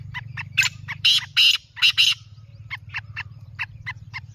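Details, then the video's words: Black francolin giving several loud, hoarse, grating notes in quick succession amid spaced, short ticking pulses, with a low continuous hum underneath. "Black francolin voice"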